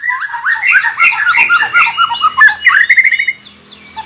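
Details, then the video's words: Varied song of a white-rumped shama, a territorial bird: a busy tumble of overlapping whistled slurs and chattering notes at mid to high pitch, easing into a short fast trill before fading. "kicau murai batu.. fuul isiaaan"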